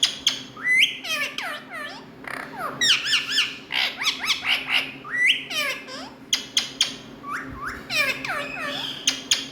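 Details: Indian ringneck parrots kept as talking pets, giving a busy run of harsh squawks and sharp descending harmonic notes, often in quick pairs and bursts, with a faint steady hum indoors.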